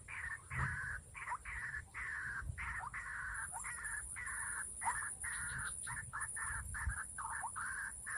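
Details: White-breasted waterhen, locally called ruak-ruak, heard while someone lures and traps the birds during the rainy season. A loud, harsh, buzzy series of croaking notes runs in rapid succession with short gaps, over faint low rumbling.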